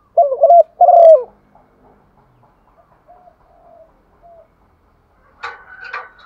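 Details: Female spotted dove calling to stimulate males, used for training male doves: two loud, low mellow coos open the clip, followed by faint, scattered soft notes and a brief rougher burst near the end.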